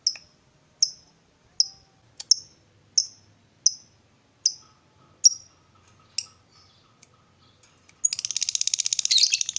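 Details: Lovebird calling to agitate other lovebirds: crisp high chips spaced under a second apart, fading into quieter notes, then a sudden harsh rapid high chatter at the end.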